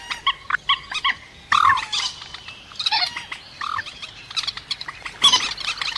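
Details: Scattered rail calls from a trapping lure: short nasal squeaks and clipped chattering bursts spaced by quiet gaps, with one longer grating phrase late on.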